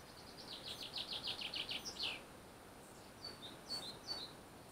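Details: Fieldfare at its nest beside a river, recorded 18 June 2015: a quick run of about nine high, slurred notes, ending in a louder downward note, then a few thin, scattered high chirps against a soft outdoor hiss.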